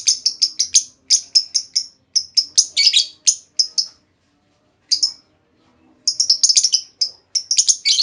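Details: Female lovebird producing a lure call to get other lovebirds trilling at length. A fast, almost continuous series of piercing chirps and scratchy chatter pauses once, then resumes in a dense run.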